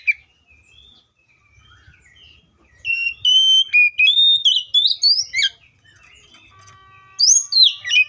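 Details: Oriental magpie-robin (Copsychus saularis) singing: a near-silent start, then a burst of loud, varied clear whistles and slurred notes sweeping up and down, a pause with a faint steady tone, and a final short whistled phrase.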